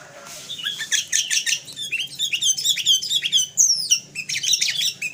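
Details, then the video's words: Energetic sooty-headed bulbul tutor song packed with fill-in phrases: continuous fast chattering and whistled notes with quick rising and falling slurs, a faint low hum underneath. "MASTERAN FULL ISIAN KUTILANG KAPAS"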